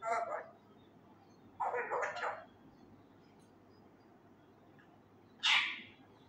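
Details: Male Indian ringneck parakeet, raw, loudly mimicking Urdu phrases while learning to talk: a short word, a longer slurred phrase, then after a three-second gap a sharp, high exclamation.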